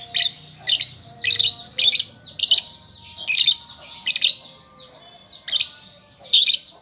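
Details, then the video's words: {'caption': 'Young lovebird learning to sing: bursts of harsh, buzzy, high chirps, each about a quarter second long, repeated roughly every half second with short gaps. Faint steady tones sit underneath.'} "Pancingan Lovebird Paud Belajar Bunyi"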